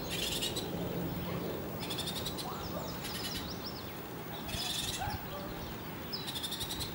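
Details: Nestling Bullock's orioles calling in loud raspy bursts of fast ticking pulses, about five bursts in seven seconds, with thin rising whistled notes between them and constant background hiss.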